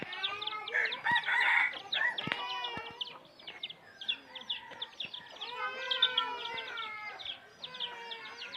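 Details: Crowing of wild red junglefowl in 2023: stacked, wavering harmonic notes overlap through the clip, with a loud burst near the start and sharp clicks in between.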